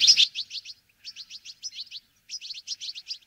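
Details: Brambling in a winter flock, feeding on sunflower seeds. After a loud opening burst, quick runs of sharp, high chirps come in short clusters of three to five, separated by brief silences.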